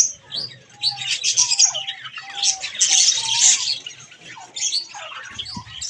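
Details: Budgies being bathed chatter in softer, buzzy twittering that swells in the middle, with faint whistled notes and a low background hum.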